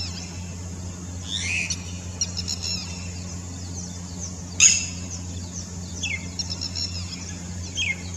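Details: Red-wattled lapwing answering another bird on the other side with its typical 'Did you do it?' call: sharp, loud, descending call notes in short bursts, spaced several seconds apart, over a steady low hum.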